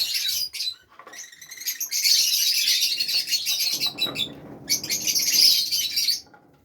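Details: Captive Fischer's lovebirds from Safi, Morocco, chatter in rapid, high, squeaky notes, a continuous busy stretch in the middle, then a final burst before fading.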